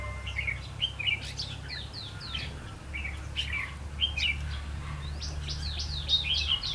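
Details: Red-whiskered bulbul acting as a trapping decoy, 8 October 2016, pouring out a busy series of slurred, chirpy whistled phrases almost without pause, over a low steady drone.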